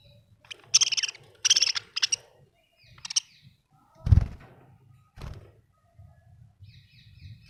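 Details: Happy budgerigar chirping: bursts of rapid, high, scratchy chirps in short clusters, with dull thumps and low room rumble between them.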